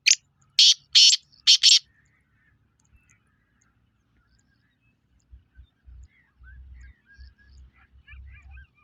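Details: Black francolin, 23 February 2025, utters a short series of four loud, grating, buzzy notes in under two seconds. A long quiet stretch follows, with faint low rumbling and a few soft distant chirps.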